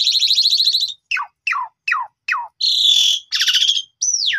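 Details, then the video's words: Asian pied starling singing as a training lure: a trilled rattle, four falling whistles about every half second, two harsh buzzy bursts, then a long downslurred whistle, on a quiet background. "PANCINGAN JALAK SUREN GACOR FULL ISIAN"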